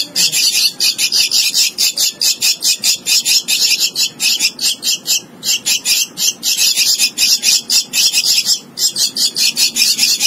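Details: A young, hand-fed Javan myna chatters loudly in harsh, grating bursts, about four per second, with only brief pauses across the whole stretch.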